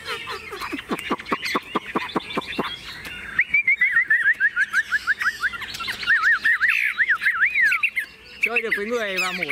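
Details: Tame caged young Chinese hwamei that pecks at hands and fears neither people nor birds. Rapid clicking and rasping notes give way to a stream of looping whistled phrases, then a nasal rising series near the end.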